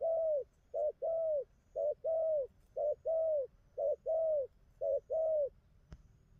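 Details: Spotted dove cooing very regularly: five pairs of notes, a short coo then a longer slightly falling one, repeated about every second; a single sharp click near the end.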